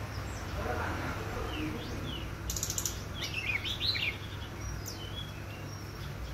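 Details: A jungle flycatcher (brown-breasted, endemic to Bali) sings on a clear, sunny morning: thin, high, down-slurred whistles and then a short, quick, warbled phrase, over a steady low rumble with faint chirps from other birds.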